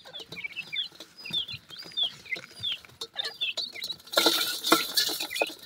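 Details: Several grey francolin chicks feeding happily: high, thin, down-slurred peeps repeated in quick, uneven series over soft tapping and rustling, ending in a burst of loud hissy clatter.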